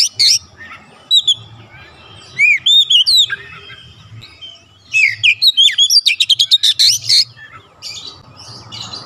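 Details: Oriental magpie-robin, likely a caged bird, singing in bursts of clear whistled, upward-sweeping notes mixed with rapid buzzy chattering phrases and fast repeated harsh notes, separated by short pauses; faint low hum underneath.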